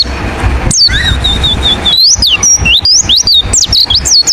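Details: Wild white-eye (pleci ngalas) lure call: a drawn-out level whistle, then a lively run of rapid high chirps and slurred notes, about two per second, over a soft low rumble.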